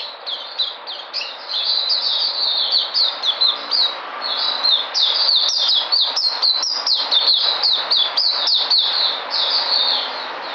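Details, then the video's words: Energetic white-eye (puteh) singing on 13 February 2020: a continuous, rapid chatter of high sliding chirps, roughly four notes per second, growing sharper and more clipped in the middle section. "Puteh Sunday coming back in energy"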